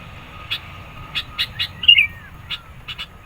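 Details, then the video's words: Sooty-headed bulbul singing to provoke rivals and lure birds: scattered soft chips around one loud slurred whistle, over a faint steady hum. "SUARA BURUNG KUTILANG GACOR NGOTOT. MENEKAN LAWAN, CEPAT RESPON.."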